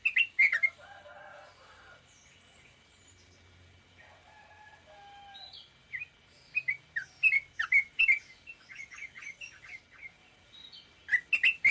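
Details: Sooty-headed bulbul in the short 'ropel pendek' style, rapid series of bright chirped notes in clustered bursts, some phrases separated by brief pauses, with a softer lower warble early on.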